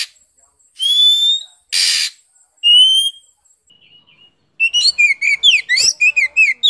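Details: Oriental magpie-robin from Vietnam giving long pure rising whistles, a loud breathy hiss, then a fast run of varied chattering and whistled notes.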